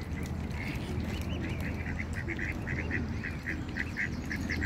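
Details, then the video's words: A pond with ducks giving quick, repeated nasal quacks in an unbroken chattering series, set against a constant low hum. "Duck Sounds - duck quack - Ducks in The Pond - Quacking Sounds Of Ducks"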